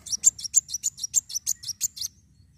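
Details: Sunbird fighter song meant to stimulate other birds: a steady string of about twelve shrill, high, slightly buzzy chirps delivered quickly over two seconds.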